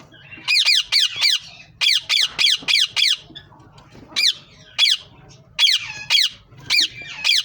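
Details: Green ringneck parrots giving rapid runs of shrill, grating squawks, five or six in quick succession, then scattered single screeches after a short pause, indoors.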